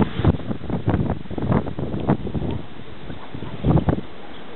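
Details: Gusty wind buffets the microphone with low rumbling bursts and rustling leaves; no animal voice is heard.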